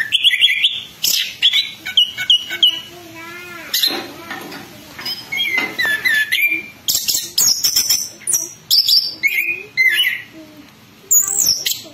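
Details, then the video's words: An orange-headed thrush, a Southeast Asian forest songbird, sings loud, varied phrases of clear whistles, rapid trills and buzzy notes, changing pitch from phrase to phrase with short pauses between. "ANIS KEMBANG GACOR NGEROL NGEPLONG"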